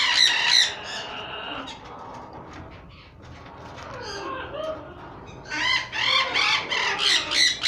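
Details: Pied sun conures imported from Holland, kept for sale, giving harsh, grating screeches in loud bursts, with a quieter spell between.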